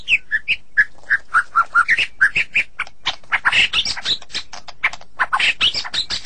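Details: White-rumped shama in a sulking mood, pouring out a dense, fast sequence of short whistles and harsher chattering notes with little pause.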